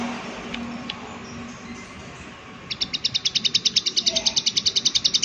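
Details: Prinia in the 'klik klik' style. Quiet background with a couple of faint ticks opens the clip, then a loud, rapid series of sharp high clicks runs steadily for the last two and a half seconds.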